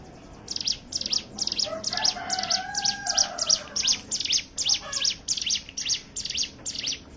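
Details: Hill prinia in ngebren style, used as a lure for other songbirds: an unbroken string of high, metallic chips almost three per second, while a lower drawn-out call sounds faintly in the background around the middle.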